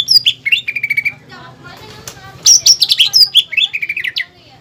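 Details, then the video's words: Greater green leafbird master song with a pelatuk bawang fill for contest birds: quick whistled slurs and a pulsed trill, a noisy pause, then loud varied chirps and swoops. "PANCINGAN DAN MASTERAN CUCAK IJO GACOR ISIAN MEWAH PELATUK BAWANG"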